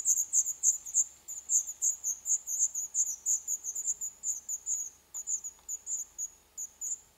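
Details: Black redstart nestlings begging in a nest inside an old furnace pipe of a building due to be torn down in Poland, day 11. High, piercing chirps repeat regularly, roughly three each second, fading slightly toward the end.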